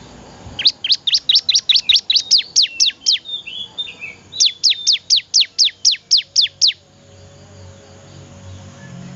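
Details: Vigorous song of a bar-winged prinia (ciblek): two long runs of about a dozen crisp, sharply falling notes at an even rapid pace, then quiet.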